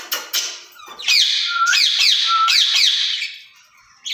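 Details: Caged ringneck parrots, a pair chatting with each other in Urdu or Hindi: rapid harsh screeching notes, about two or three a second, broken by two short rising whistles.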